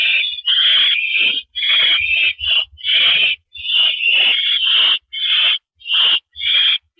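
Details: Owl perched on a porch in the evening, April 9, 2012, at 8:17 PM, producing around ten raspy hissing screeches of uneven length in a steady stream.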